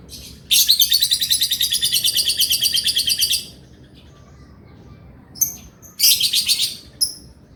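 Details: Male lovebird in full, constant 'gacor' song of the ngekek chattering style, kept as a master recording to spur quiet lovebirds: a dense, buzzy, rapidly pulsed high trill lasting about three seconds, then a pause and two shorter chattering bursts.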